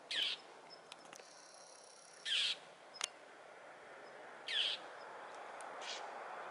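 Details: Northern mockingbird on Potrero Road in Newbury Park, voicing displeasure at a Cooper's hawk perched atop a power pole and repeatedly flying into it; three short, harsh, rasping bursts spaced about two seconds apart over quiet outdoor background.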